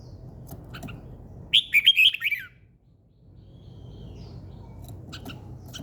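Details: A bird sings in the morning: a brief rapid string of five or six bright chirping, warbling notes falling slightly at the end, then quiet low background noise and faint ticks.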